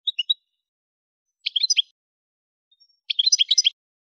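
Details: Algerian goldfinch at Kef El Hammam, Souk Ahras, Algeria, giving three short twittering phrases of high, quick notes, spaced about one and a half seconds apart, against a silent background.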